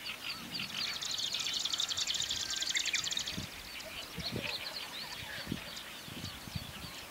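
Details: Japanese Swamp Warbler (Marsh Grassbird) singing in the Watarase retarding basin reedbeds, Japan, where many sing and sometimes do song flights: a dry, buzzy, rapidly pulsed chatter for about two and a half seconds, then scattered chirps of other small birds and wind thumps.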